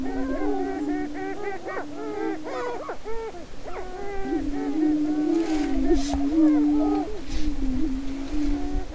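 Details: Greater prairie-chickens on a spring lek in northwest Minnesota near Crookston, 27 April 2013, during the mating dance: low hollow moaning boom notes run throughout, overlaid with rapid cackling, whooping calls in the first half, then steadier booming.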